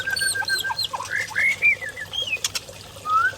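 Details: Wild-origin white-rumped shama from the Lamno forest, Aceh Jaya, Indonesia, singing clear whistled phrases: a level held note, then rising and falling slurred whistles and quick chirps, with faint clicks behind.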